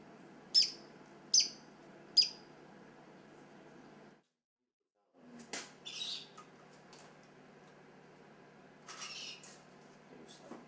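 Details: A captive black-headed ibis chick, hatched on 28 May 2009 in Nagaoka, gives three sharp, high peeps less than a second apart around its hatching, then a pause and scattered faint, thin squeaks.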